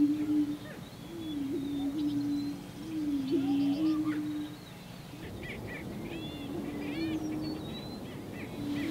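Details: Greater prairie-chickens displaying on a spring mating lek (March–April), with males strutting and drumming, give low, hollow, sustained moaning booms that overlap steadily, with higher cackles and whoops from other displaying birds scattered above.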